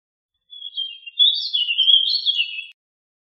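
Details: A single rolling warble from a warbling vireo, starting with a thin note and building into a quick run of looping, slurred notes over about two seconds, with no other sounds.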